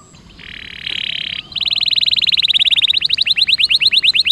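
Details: Canary song used as a lure for canaries reluctant to sing: a flat buzzy note opens, then a long rapid trill of short notes gradually becomes sharper and more spaced toward the end.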